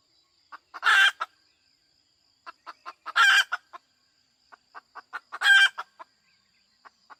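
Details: Hen cackling: bursts of quick short clucks building up to three loud, raspy, drawn-out squawks spaced about two seconds apart, with clucks continuing in between.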